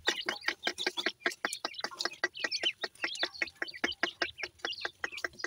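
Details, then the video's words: Teetar (jora pheasant) chicks giving steady rapid chirping, sharp short peeps repeated about two to three times per second, with overlapping higher twittering from several chicks. "teetar bird chicks ki sound"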